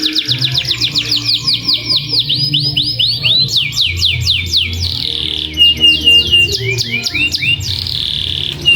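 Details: Active canary lure song for stimulating other canaries to sing long rolls: a rapid trill of clipped notes, then descending swoops and mixed chirps with brief gaps, a low musical drone running underneath.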